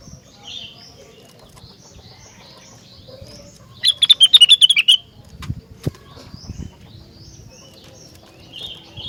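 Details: Rengganis singing vigorously, a call said to make other rengganis sing in response: soft scattered high whistles, then a loud burst of about ten quick, sharp repeated notes, a few lower clicks, and a final faint whistle.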